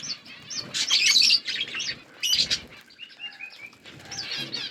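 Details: A budgerigar flock chirping, with a loud burst of scratchy warbled chatter, then thin rising whistled notes and quieter tweets, plus light rustling of wings.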